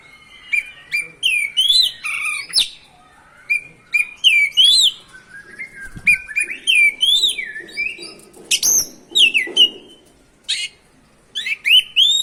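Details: Oriental magpie-robin (kacer) in extended song meant to provoke other magpie-robins: rapid varied whistles, upslurs and chirps in steady bursts, with a few sharp clicks between phrases.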